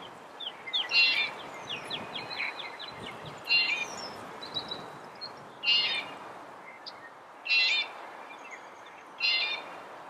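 A Red-bellied woodpecker gives short, rolling churred notes about every two seconds, while other small birds chirp and tick in the background.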